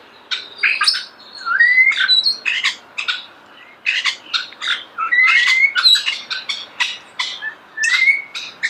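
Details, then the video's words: Starling singing near the recorder with rapid harsh clicking and rattling notes, laced with short rising whistles, in bursts separated by brief gaps. "The song of the starling"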